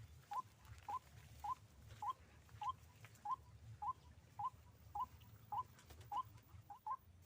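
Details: White-breasted waterhen during a trapping session with a hanging snare: a monotonous run of short upslurred piping notes repeated steadily, nearly two per second, over faint low background hum.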